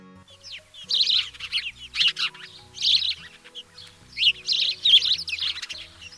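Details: House Sparrow chirping: bursts of harsh, noisy cheeps, repeated roughly every second and sometimes clustered, over quiet low background music.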